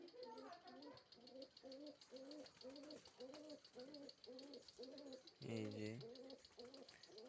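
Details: Cooped pigeons in a hot loft, eager for food: low, throaty coos with a rise and fall, repeated about every half second, one louder and fuller coo near the end, over a constant fast ticking in the background.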